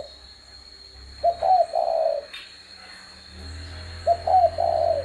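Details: Two spotted dove coo phrases about three seconds apart, each two clipped notes followed by a longer, slightly rough, falling coo, over low hum and a constant high whine.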